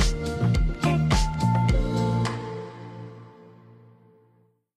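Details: Instrumental music with sharp drum hits and sustained tones that fade into silence over the last two seconds, with no animal voice heard.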